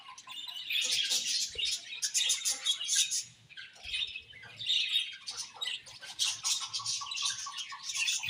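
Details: Budgies keep up a nonstop chorus of scratchy warbles and sharp chirps in waves, loudening and fading every couple of seconds.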